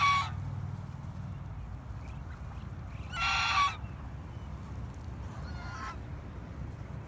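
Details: Domestic swan goose, a female tending her gaggle, gives short, harsh, nasal honks, two loud ones about three seconds apart and a fainter third, over a steady low rumble.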